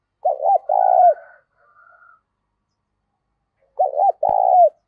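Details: Loud, clear spotted dove coos in the 'thổ pha' style: two phrases about three seconds apart, each a wavering double note and a drawn-out coo. A faint higher whistle sounds between them, and a sharp click near the end.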